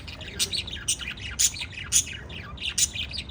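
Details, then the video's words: Chirping pet lovebirds give shrill, bright tweets and short squawks, roughly two per second and unevenly spaced, with quieter chattering notes filling the gaps over faint low background hum. "Cute LOVE BIRDS CHIRPING sounds - Pet Love Birds talking"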